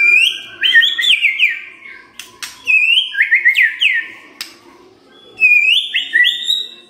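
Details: White-rumped shama singing in the morning, used as a lure to get a quiet bird to sing: loud, rich whistled phrases with sliding and warbled notes, in bursts about every two to three seconds, with sharp clicks between.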